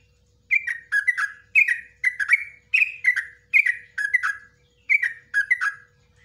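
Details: Evenly paced series of about ten short bubbly phrases, each a cluster of slurred liquid notes, from a yellow-vented bulbul singing nguklik ngecruk ropelan song for training cage birds.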